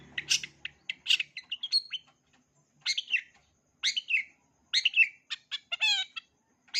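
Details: Long-tailed shrike singing varied full repertoire material for young birds to copy. Bursts of scratchy chatter are separated by short pauses, and a clear downward-curving harmonic note comes near the end. The background is otherwise quiet.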